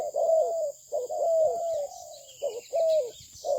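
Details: Spotted dove, Malaysian breed, giving long, smooth, gently descending coos linked with shorter notes, mellow and rounded, with a continuous high background tone.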